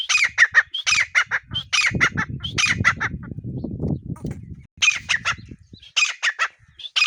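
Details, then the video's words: Partridge, called desi teetar locally, gives clusters of raspy, piercing notes, broken midway by a stretch of loud low rumbling noise before the squawks resume. "Teetar ki voice | desi teetar sound| Partridge sound"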